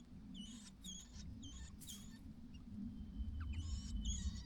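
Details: On the day its only chick fledges, a White-browed laughingthrush mother calls it from outside the nest: paired high chirps come about twice a second, with a pause, then more chirps over a low droning hum.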